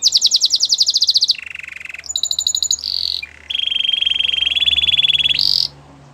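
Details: Canary training song for coaching other canaries to sing. It opens with a fast high buzzy trill, drops to a lower rattling roll, then gives brief bright notes and a long steady rapid trill ending in a high burst.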